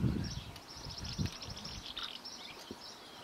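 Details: Eastern black-eared wheatear at Ipsilou, Lesvos, Greece, giving a faint, scratchy, high-pitched warbling song, over low wind rumble and handling thumps.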